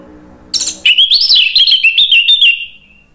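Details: Orange-headed thrush giving a loud ngeplong song as a lure for other birds: a brief harsh note, then a rapid stream of warbled, trilling whistles that fade out after about two seconds.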